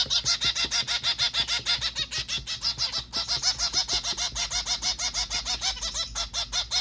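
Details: White zebra finch calling while being hand fed, 21 December 2023: a rapid, steady string of short nasal, harmonic calls, about three per second, with soft clicks and taps beneath.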